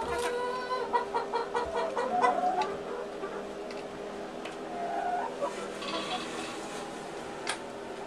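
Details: Contented farm chickens, egg-laying hens, clucking in a quick irregular patter that eases into softer drawn notes, with a faint steady hum throughout.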